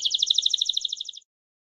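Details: Short, crisp trill from a Belgian canary of the campainha type: around sixteen quick identical notes evenly spaced, fading slightly before stopping abruptly after a little over one second, leaving silence.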